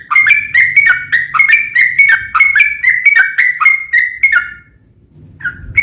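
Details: Yellow-vented bulbul giving a long rolling song, used as a lure to draw replies from other bulbuls: fast repeated liquid two-note phrases that dip and rise, running steadily for about four seconds before stopping, with faint low rumble beneath.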